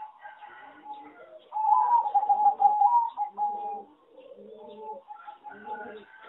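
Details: A farm-bred singing zebra dove, judged a poor singer with a bad melody, gives rapid, rolling, mid-pitched coos, loudest in a burst of trilled coos midway, with softer coos before and after.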